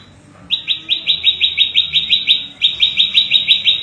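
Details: Prenjak lumut (prinia) song used as a tutor for cage birds and to lure wild birds: a fast run of bright, rising chip notes, about three per second, steady and evenly spaced.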